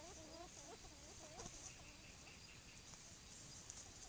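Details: Courting Short-tailed Antthrush (Tovaca Cantadora) in forest, giving several low, curved hooting notes in quick sequence at the start that soon fade out, leaving a constant high insect drone and faint distant chirps.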